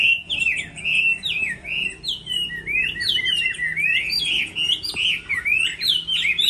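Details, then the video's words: Chinese hwamei singing competitively in moult season: a long, energetic stream of loud slurred whistles and warbles delivered in pulsing phrases, with one sharp click partway through. "Họa mi hót đấu mùa thay lông"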